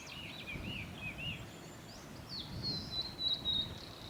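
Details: Male Blue-and-white Flycatcher at Lake Miyagase, Japan, recorded 25 April 2016 on a forest road; a wavering, looping warble followed by a thin sustained whistled phrase, over a soft steady low hiss.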